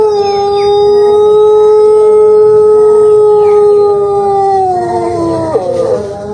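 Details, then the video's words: Long, melodious crow of a Pelung chicken, the Cianjur, West Java breed kept as an ornamental bird in Indonesia. A smooth, level, drawn-out note holds for about five seconds before dipping and breaking off. "Ayam Pelung Indonesia | Suara Kokok Panjang & Merdu yang Unik"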